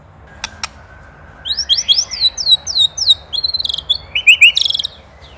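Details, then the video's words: Indonesian white-rumped shama master recording for songbird training: two sharp clicks, then a quick series of high, thin descending chips and buzzy trills, loud bursts spaced irregularly, faint hum in the background. "MASTERAN MURAI | SHAMA BIRD INDONESIA"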